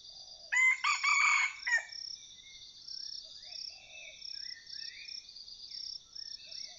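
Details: Red junglefowl of the Vientiane line, used in decoy hunting, gives one loud, harsh, broken crow of about a second, cracking into several rough segments, over a steady high buzzing of insects and faint chirping and whistling birds.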